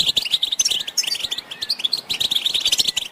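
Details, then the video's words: European goldfinches in a group chorus of twittering and mating calls, used to stimulate silent males to sing; dense, rapid tinkling chirps and trills, high-pitched and continuous, with brief buzzy notes throughout. "بتبتة الحسون تحفيز الحسون على التغريد والهيجان علاج صمت الحسون goldfinch stimulation"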